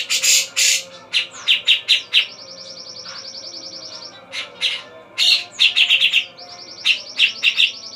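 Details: Javan black-capped babbler, locally called cucak jenggot, singing: bright chirps and sharp notes alternating with long fast buzzy trills, loud and repeated through the recording.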